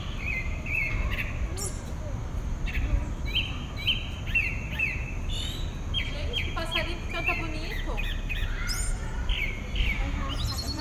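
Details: A single pale-breasted thrush sings at dawn in southeastern Brazil: varied whistled phrases, slurred and repeated notes in quick series, with short pauses, over steady low background rumble and a faint high hiss.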